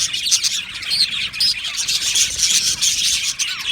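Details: Budgies chattering in an aviary, a dense high warble sprinkled with clear thin whistled notes and rapid chirps from many birds at once.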